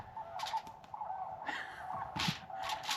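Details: Wild sandhill cranes heard outdoors from an off-grid cabin camp give loud, rolling, rattly calls in several bursts over a few seconds, with a steady background hum and outdoor noise.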